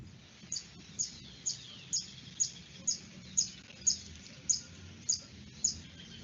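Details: A Sparkling Violetear (colibrí chillón), a resident species at Santa María del Lago wetland in Bogotá, repeats a sharp, high, metallic chip about twice a second in a steady, monotonous series over a faint low background rumble.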